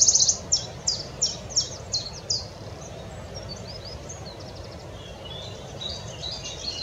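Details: Wood warbler at Oldbury Power Station on 9 May 2021: about six sharp, high, ticking notes repeated quickly and fading over two seconds, then fainter bird notes over a steady low rumble of wind or distant traffic.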